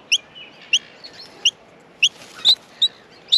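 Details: Young Australian miners in the nest being fed give sharp, high chirps at uneven intervals, with one louder, slightly lower and harsher note near the end.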